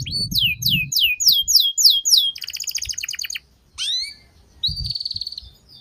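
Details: Canary singing a master training song with full fill-ins in a luxurious style: rapid repeated upswept whistles, a chattering trill, falling swooped notes, then a sustained buzzy tone. Low thumping noise comes at the start.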